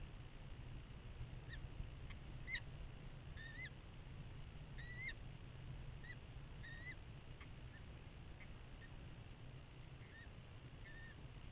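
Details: Banded adult female peregrine falcon at a New Jersey nestbox in spring with no eggs or young, picked up by a motion-activated camera: a dozen short, slurred calls in a loose series, faint against a constant hiss and low hum.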